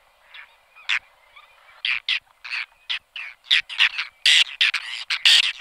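Whiskered Terns give harsh, rasping calls, about a dozen short grating bursts in quick, uneven succession, some overlapping as if several birds call together.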